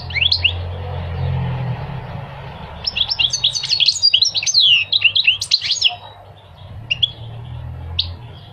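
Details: Goldfinch song: a burst of rapid, varied twittering notes and sweeping chirps in the middle, with brief scattered chirps before and after over a steady low hum.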